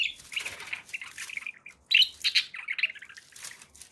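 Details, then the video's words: Happy budgerigars chattering, buzzy warbled phrases, a brief lull, then a louder burst of sharp squeaky chirps and rapid twitters. "happy budgie sounds"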